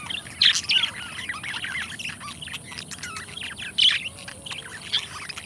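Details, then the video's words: Two companion budgies in a dense, continuous chatter of squeaky, warbled notes with louder sharp chirps standing out at the start and near the middle. "Budgie Sounds: Birds Singing You to Sleep"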